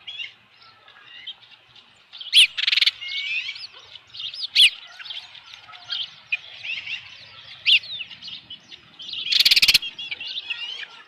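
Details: Osprey nest on a July 2018 evening, a headless fish just brought in: softer, tangled high chirping and twittering throughout, interrupted by several short bursts of rustling or flapping noise.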